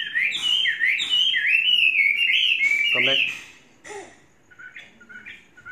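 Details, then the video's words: Caged Chinese hwamei of three seasons sings a long, fast, looping whistled warble, then breaks off into a few softer short phrases. "Hoa mi hót cực hay"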